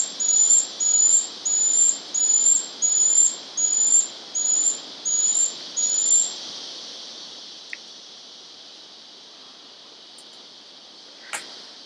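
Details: Moustached Puffbird, first record for Ecuador, at the Dracula reserve in early August 2017, gives about ten thin, high, slightly rising whistles, one every half second or so, then stops; steady insect hiss throughout.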